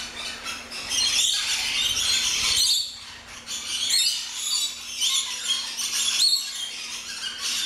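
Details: Aviary flock of rainbow lorikeets at an orchid farm in Luttelgeest, Netherlands, keeping up a long, shrill, overlapping screeching chorus that swells and dips, over a faint steady hum.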